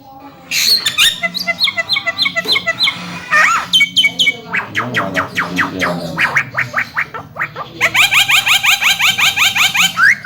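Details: Javan myna song in the mblegedeg style, used to stimulate mynas that have stopped singing: long bursts of rapid, varied chattering notes and harsh rattles, with pauses between dense runs of clicks and whistles.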